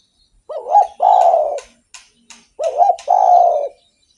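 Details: Spotted dove in active song, intended to lure or stimulate other doves: two identical phrases, each a short wavering coo followed by a longer, drawn-out coo, with a few soft taps between.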